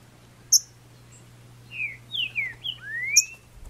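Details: A captive green-winged saltator, after its moult, taken in May 2019 to a wild area full of saltators, gives a brief run of four or five clear, slurred, falling-then-rising whistles, plus two sharp high chips over a low hum.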